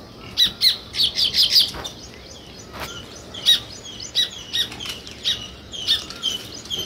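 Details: Sparrow chirping in bursts: short, sharp, high chirps in clusters, with a rapid run of about six near the start, then single chirps spaced roughly every half second to second against a quiet background.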